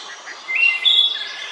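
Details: Wood thrush singing in Central Park, New York: a brief flute-like phrase, a clear rising note followed by a higher, sustained ringing tone, over faint background hiss.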